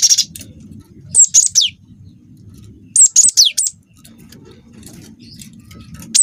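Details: Young cinereous tit of the wingko type, singing a long rolling lure song meant to draw other birds into singing. Shrill, bright notes come in quick three-to-four-note bursts with steep downward sweeps, repeating roughly two seconds apart over a low background rumble.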